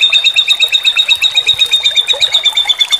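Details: White-rumped shama, a training recording of linked phrases. A thin, steady high tone runs under rapid repeated chirps, about six per second, all the way through.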